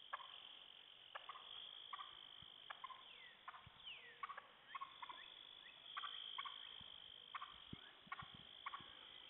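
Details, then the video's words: Wild turkey hens, alarmed by a suspected poacher's repetitive, electronic-sounding calling on a hill at sunset, give sharp, abrupt putts in irregular bursts, several calling at once, over a steady high insect drone. "Wild Turkey Calling Poacher! Hens FREAKED out!"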